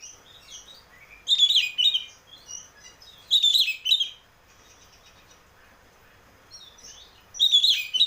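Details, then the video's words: Oriental magpie-robin, a cage bird, song used to coax another to sing: high twittering chirps in bursts every two seconds, softer thin notes between, faint hiss. "pancingan burung kacer ngeplong biar cepat mau bunyi dan gacor"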